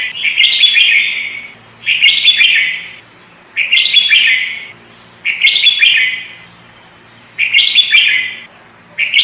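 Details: Lively sooty-headed bulbul lure song: rasping, buzzy bursts lasting about a second each, repeated steadily every two seconds, with short pauses between them.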